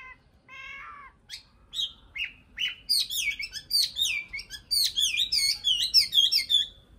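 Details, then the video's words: Common nightingale singing a fast, varied run of high whistles, slurred chirps and short rattles, about three or four notes a second, against a quiet countryside background. "Nightingale Song"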